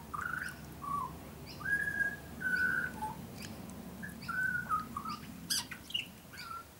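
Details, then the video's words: Garden-visiting young butcherbird, lighter black than an adult, whistles sustained mellow notes and short slurs, separated by brief pauses, while faint sharp high clicks sound in the background. "Young Butcher Bird is singing a song"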